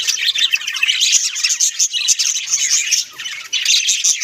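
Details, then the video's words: Several pet budgerigars kept at home give a dense, continuous chatter of high, scratchy warbles and squeaky chirps that overlap without pause, with brief dips in loudness. "Beautiful Bagies sounds"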